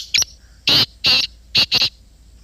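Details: A black francolin calls loudly nearby: a brief sharp opening note, then four harsh, rasping, broadband notes, the last two given in quick succession, over a quiet background.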